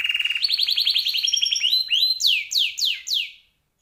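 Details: Captive canary song in a long, elaborate style used for training other songbirds: rapid trilled phrases stepping upward in pitch, then a series of four loud descending whistled sweeps, clear with no other sounds.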